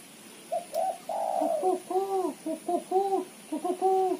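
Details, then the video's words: A lively female spotted dove, used as a lure, gives soft, low hollow coos in quick uneven bursts, a drawn-out note then a series of short paired hoots with brief pauses. "suara tekukur betina gacor ketrekan / derkuku betina gacor cetrekan"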